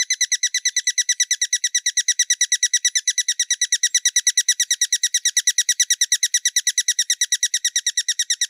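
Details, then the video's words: Hummingbird calling: a fast, even run of sharp, high chips, about three per second, steady throughout with no other sounds. "Sonidos de Colibries - COLECCION SONIDOS DE COLIBRIES - Hummingbirds Sounds"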